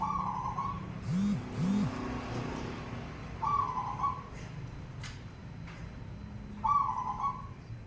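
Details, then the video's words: Zebra dove (perkutut) song used as a call to prompt other doves to sing: three short, soft, trilled cooing phrases spaced about three seconds apart, with two lower coos near the start. "Panggilan perkutut pasti bunyi dengar ini"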